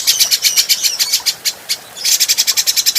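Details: Adult grey-cheeked bulbul, recorded for training other cage birds. A fast, harsh, rattling chatter of about eight buzzy notes per second, which pauses briefly and then resumes just as quickly.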